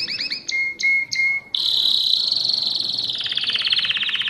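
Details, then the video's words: Mosaic canary singing: a few quick upward slurs, three sharp clipped notes with a low whistle beneath, then a long fast rolling trill that slowly drifts lower in pitch. "تغريد كناري الموزاييك"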